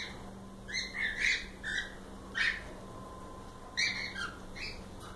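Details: Several captive cockatiels give scattered short squawky chirps and downslurred whistles in uneven bursts, over a steady low electrical hum.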